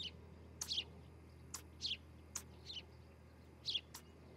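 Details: Osprey at a nest in Charlo, Montana, on a July 2018 morning, recorded by a nest cam: high, short chirps in small groups, mixed with several sharp clicks.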